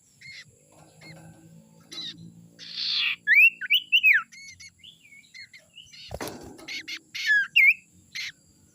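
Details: Young wild common iora (sirtu) from the forest, used as a lure call: bright rising and falling whistled notes in quick irregular bursts, with short buzzy rasps and a sharp knock partway through.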